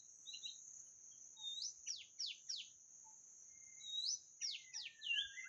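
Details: White-rumped shama song played as a lure: faint, high whistled notes and quick downward-sweeping slurs in two short bursts, over a steady high-pitched whine.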